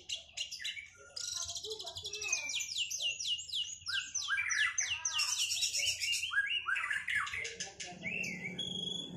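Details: White-rumped shamas just out of moult, singing in a duel meant to bring back their performance: a rich, continuous run of fast high chirps, rapid repeated trills and swooping whistles, varied and unbroken.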